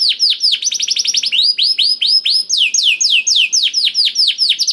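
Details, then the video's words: Canary song aimed at prompting a quiet canary: a very fast trill of high falling notes that slows into long, loud swooping whistles repeated about twice a second. "PANCINGAN KENARI SUSAH BUNYI AUTO NYAUT GACOR TANPA HENTI || VOICE OF CANARY"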